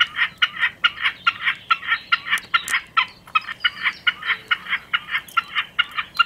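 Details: {'caption': 'Singing common snipe giving fuller, slightly uneven chipping notes in a fast rhythmic series, some notes doubled, with a few faint clicks in the background.'}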